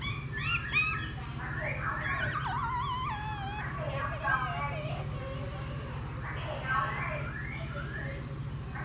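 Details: Newly caught wild laughingthrush, kept ten days, singing chatty song after bathing: varied whistled phrases with rising and falling slurs and quick trills, over a steady low hum.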